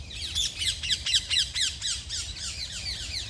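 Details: Morning birdsong: a rapid, repeated string of loud, harsh downslurred chirps, about two per second, slightly fading toward the end.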